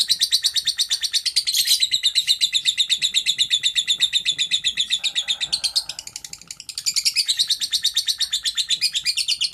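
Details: Lovebird performing the long 'ngekek' chatter, used as a training recording: an unbroken, rapid string of shrill, scratchy notes, nearly three per second, fading briefly midway with a faint lower murmur, then resuming strongly.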